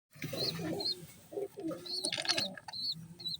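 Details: Pigeon chicks just beginning to vocalise: short, thin, arched squeaks repeated several times, mixed with low, soft murmuring and rustling sounds nearby.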